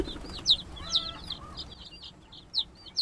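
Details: Newly arrived laying-hen chicks inside a coop made from donated wooden pallets. Sharp, high, falling peeps come in scattered pairs, with softer chirps between them over a quiet background.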